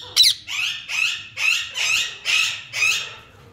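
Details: Lutino Indian ringneck parakeet, yellow, talking indoors: a sequence of six raspy, speech-like syllables about half a second apart, each a breathy burst with a rough, squawky tone.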